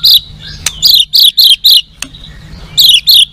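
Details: Caged contest Oriental magpie-robin giving isian filler phrases against rivals on the same pole: bright high chirps repeated about four per second in short bursts, a pause, then the chirps resume.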